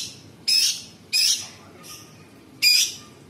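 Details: Sooty-headed bulbul (cucak cungkok) giving grating, rasping phrases within its tembakan song of imitated birds and insects: four short scratchy bursts about half a second to a second apart.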